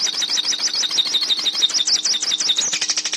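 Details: Hooded siskin song for teaching a caged bird: a fast, even stream of thin, high twittering notes, roughly three per second in its clearer pulses, continuous and twangy, with a faint hum below.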